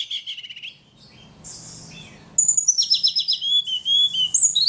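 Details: Very vocal ledekan singing: a short buzzy trill, a quiet gap, then a busy run of high piping notes and slurred whistles mixed with rapid chips.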